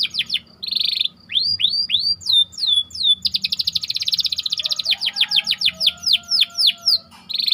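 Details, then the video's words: White canary song in a tight rolling style used as training bait for other canaries: rapid buzzy trills alternating with bursts of rising whistled slurs, then a long dense rattling roll and a string of quick descending sweeps. "Burung Kenari Ngerol Rapat"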